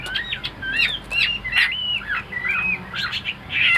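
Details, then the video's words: A tame Chinese hwamei in a cage gives short, bright whistled notes with sharp upward and downward bends, delivered in a halting series with brief gaps. "Hoạt Họa Mi"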